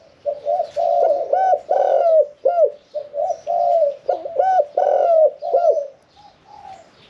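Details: Spotted dove kept in a cage, singing a 'khan yon 1 kuk' song with a middle-range voice. Deep, rounded coos roll in two main bursts of hooked, looping notes, then trail off into quieter cooing.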